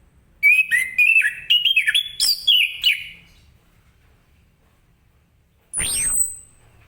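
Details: Orange-headed thrush in the morning, singing in the vigorous 'ngeplong gacor' style meant to prompt other birds to answer: about three seconds of rapid, varied whistled notes rising and falling, then a short sweeping whistle after a pause.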